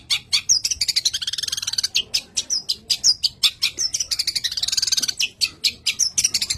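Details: Long-tailed (rufous-backed) shrike, Lanius schach, said to be highly worked up (birahi), pours out a fast, unbroken chatter of harsh, scratchy notes mixed with brief high whistled upslurs, several per second.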